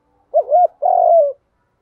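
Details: Spotted dove coo, 'giọng đồng' style, played to train newly caught birds and decoys. One clean phrase of a quick undulating double note and then a long, steady coo that tapers downward. No other sounds.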